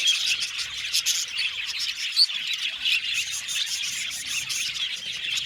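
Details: Budgerigar colony kept in an aviary, heard as a thick layer of high twittering and chirping, with a few clear thin whistled notes and sharp squeaks standing out from the constant flock noise.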